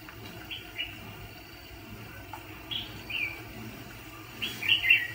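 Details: Decoy red-whiskered bulbul, kept for trapping fighting birds, sings fairly quiet, brief whistled phrases spaced every second or two, ending in a louder, slurred warble.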